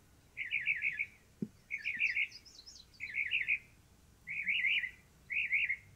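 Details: Northern Mockingbird singing and preening on its favourite perch atop a stove pipe: short bursts of rapid, repeated chirpy notes, each phrase about half a second, with brief pauses and a fainter high series above.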